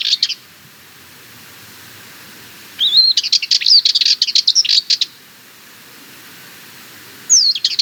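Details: A Sardinian warbler delivers a two-second rattling phrase of rapid, dry, staccato notes with a thin whistled thread running through it, between brief fragments at the start and end.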